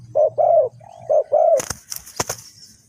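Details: Spotted dove (cu gáy) from Ninh Thuận, Vietnam, used as a decoy to lure wild doves into a trap. Gives a short run of mellow, mid-pitched coos in the first half, then sharp clattering knocks and rustling.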